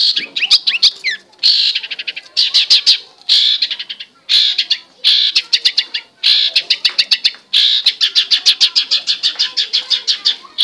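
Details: Loud, restless song of a long-tailed shrike: bursts of harsh, scratchy notes alternate with quick runs of clipped high chips repeated several times a second, with brief gaps between phrases.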